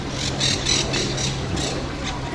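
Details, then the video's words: Parakeets in palm trees in a park in Seville, Spain, make a right din on a warm day. They give harsh, raspy screeches in quick bursts, about four in two seconds, over a steady low rumble of traffic. "If you can hear us, there's some parakeets up there in the palm trees making a right din."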